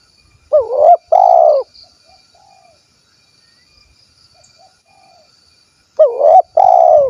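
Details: Spotted dove of the 'kuk 1' type from Cilacap, Central Java, Indonesia, giving loud two-part coos: a bending, wavering note, then a longer steady hoot. The pair comes at the start and again near the end, with fainter distant coos between.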